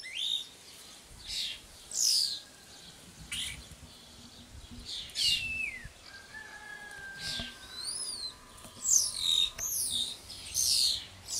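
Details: Common starlings at a nest box on a tree, caring for young: a varied song of whistled slurs, sharp chirps and long level whistles, some rising and falling steeply, over a faint low hum.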